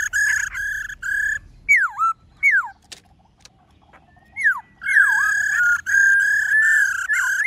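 A laughingthrush sings loud, rich whistled phrases: steady ringing notes around mid pitch broken by sharp swooping slurs that dip and rise, with brief pauses between bursts.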